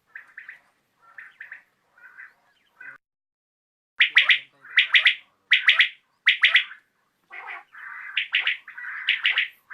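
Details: Evening calling of a common quail: softer, lower buzzy notes at first, then loud crisp triple-pulsed phrases in a quick series, ending with mixed buzzy and pulsed notes.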